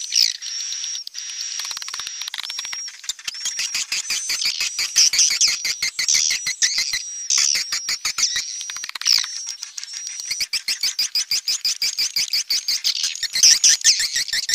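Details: Swiftlets in a recording suited to a two-player amplifier. Rapid, regular clicking pulses mix with high chirps and a steady thin tone, and the clicking grows denser in long stretches.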